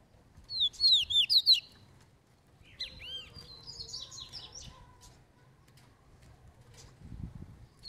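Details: Double-collared seedeater, a fibre-type bird in training, singing loose: a burst of rapid high whistled swooping notes, a pause, then a second jumbled phrase of quick high notes, with a faint low hum underneath.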